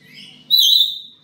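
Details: Black-capped lory at home, lure call: a quieter grating note, then a loud sharp screech held for about half a second.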